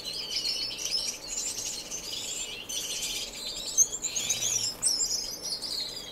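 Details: Many finches chatter together in an indoor community aviary in Edmonton, Canada, March 2015, non-breeding birds: busy high twittering and buzzy bursts overlapping steadily, with short louder chips near the end.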